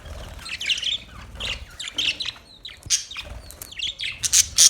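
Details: Budgerigars chirping: bursts of bright, scratchy high-pitched chirps and warbles, several overlapping, with short gaps between phrases and brief louder clicks near the end.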